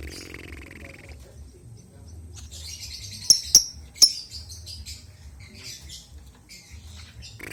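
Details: Albino lovebird chattering with a rapid cluster of shrill, high chirps and softer twittering in between, set over a faint low hum.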